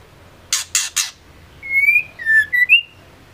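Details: White-rumped shama female, meant to provoke males to sing, with three raspy bursts, a pause, then a long upslurred whistle and several short whistled notes, the last rising sharply.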